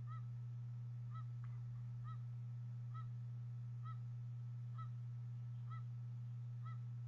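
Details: Bald eagle eaglets calling at a Harrison Bay nest on 26 April 2014 as the mother feeds fish: evenly paced short, curved piping notes with faint overtones, roughly one per second, above continuous low hum.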